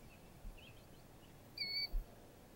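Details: A Solitary Sandpiper feeding in a marsh gives one brief, clear, high whistled note at a steady pitch, preceded by faint soft peeps, over a low background rumble.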